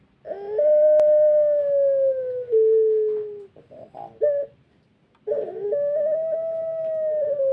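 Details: Pelung chicken rooster recovering from tail healing, voice not yet at its best, giving a long drawn-out crow: a sustained mellow tone held over two seconds and slowly falling, broken by short notes, then another long steady tone.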